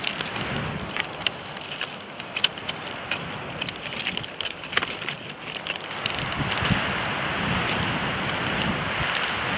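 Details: Gusty wind and rushing noise with scattered sharp clicks and crackles, and no animal call.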